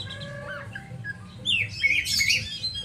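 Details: Oriental magpie-robin kept as a songbird, with soft faint notes at first, then a loud burst of sharp whistles and scratchy, noisy chatter in the second half; low hum throughout.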